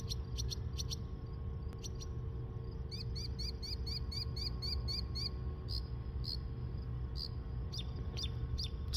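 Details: A Northern Mockingbird perched overhead sings high, sharp notes, repeating each phrase several times in quick runs before switching, mimicking many sounds including a kestrel and a cricket, over 30 different calls in two minutes, over a steady low rumble.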